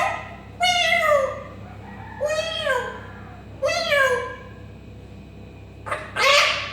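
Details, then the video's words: Cat imitation by an African grey parrot: three long, drooping meows spaced about a second and a half apart, then a harsher, noisy squawk at the close. "كاسكو يقلد صوت القطة و يصفر- Parrot making cat sounds"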